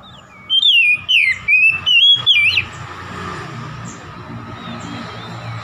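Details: Song of an oriental magpie-robin meant to rile a rival: about two seconds of five bright, warbled whistled phrases, then quiet with faint background hiss.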